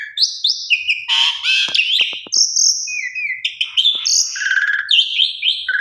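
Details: Female Asian pied starling calling a male, used as a lure: a loud varied mix of whistled notes, harsh noisy bursts and sharp clicks, jumping between high and mid pitches in quick succession.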